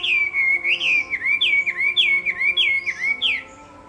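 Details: Chinese hwamei singing in a contest: loud, rich whistled song of repeated swooping notes, each dipping and rising, about eight in under four seconds, then the song stops.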